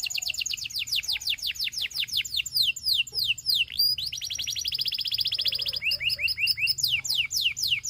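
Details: A Gloster canary sings to spur other canaries into song, delivering varied phrases of quick descending whistles, a sustained rolling trill, and lower clipped sweeping notes.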